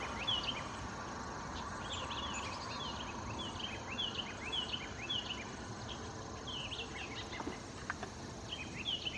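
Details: Philadelphia Vireo (Vireo philadelphicus) at White Clay Creek Preserve, Chester County, Pennsylvania, on 23 September 2015, gives short, high, slurred notes in quick series about one a second, over a steady rushing background like water or wind.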